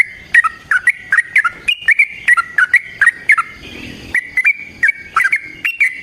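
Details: Yellow-vented bulbul fighting song intended to draw other bulbuls to respond: clear slurred whistles in quick doubled notes, a brief pause with faint background noise, then the bright chattering resumes.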